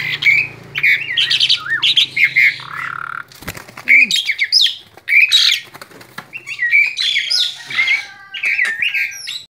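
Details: Excited male Asian pied starling calling indoors: harsh squawks, scratchy chatter and short rising whistles delivered in irregular bursts, with a faint low hum and a short thump partway through.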